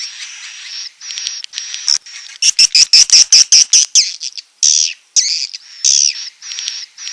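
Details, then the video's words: Swiftlet calls: sustained buzzy high chirps, then a fast burst of sharp clicking pulses in the middle, followed by warbling, up-and-down chirps in short repeated bursts. "Suara panggil walet"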